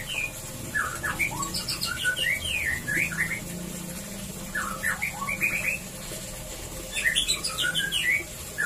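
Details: White-rumped shama song played to stimulate mating in a breeding cage: bursts of varied whistled and slurred notes, rising and falling, in phrases around one to two seconds apart, with a steady background hum.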